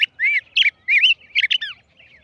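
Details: Tigrillo singing: loud, clear phrase of rising and falling whistled slurs and short buzzy notes, delivered in quick bursts over about two seconds with a quiet background.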